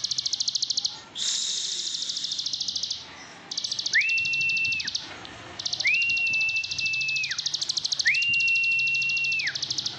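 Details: Plain prinia (ciblek sawah) from Indonesia singing in the nonstop ngebren style: a fast, high, buzzy pulsed trill. Several long, flat, steady whistled tones break into it, each with a quick rising start and a falling end.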